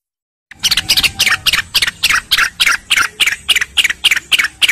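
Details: Cucak rengganis song used as a master recording for training other songbirds, with a background of flowing water: rapid, dense bursts of bright chirping notes repeated about three times a second, steady and loud throughout.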